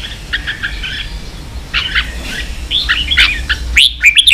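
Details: Red-whiskered bulbul, 'ché' style singing for training young birds; scattered short warbled chirps and whistles, then a louder run of rising, ringing notes at the end, over a low background rumble.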